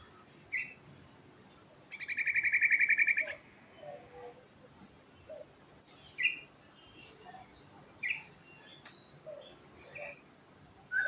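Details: Energetic Sooty-headed bulbul singing in ngerol style, a rolling trill of rapid, evenly spaced pulses lasting over a second, set among short chirped and whistled notes spread across the rest of the phrase, with a faint steady hiss.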